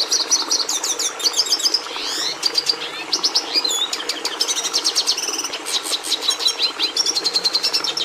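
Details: Red siskin song, a species prized by breeders for bringing red pigment into the domestic canary: a fast, continuous twittering of high buzzy trills, rapid repeated notes and short whistled slurs, steady throughout, over a faint background hiss.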